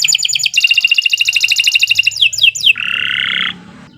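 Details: Canary singing for use as master recording: rapid rolled trill notes, three sharp downward-sweeping whistles, then a sustained lower buzzy trill that fades out.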